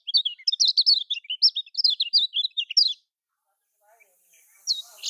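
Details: Lombok kecial kuning, the Lemon-bellied white-eye, singing a lure song for caged birds that will not sing: quick run of sweet, up-and-down chirps for three seconds, then near silence with faint rustles and a final loud chirp.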